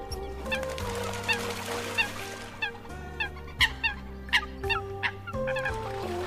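Eurasian coot giving short, sharp, explosive notes, roughly one or two a second, over a steady low musical drone.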